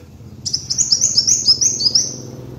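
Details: Kolibri wulung sunbird lure song: one brisk, high, sweet trill of evenly repeated downslurred notes lasting about two seconds, over a faint low hum.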